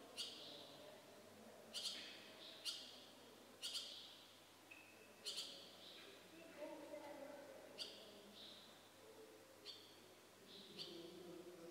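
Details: Barn swallow chicks begging: harsh, hissing bursts flare up every second or so in irregular clusters, with softer wavering notes between and a low background murmur.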